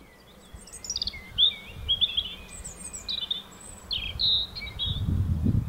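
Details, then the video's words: A European robin sings at sunset, thin, high, warbling phrases of quick trills and liquid notes, broken by short pauses, over a low background rumble. "Rouge-gorge chantant"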